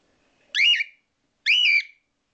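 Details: A female pet cockatiel gives two loud, shrill, warbling whistled calls, each about a third of a second long.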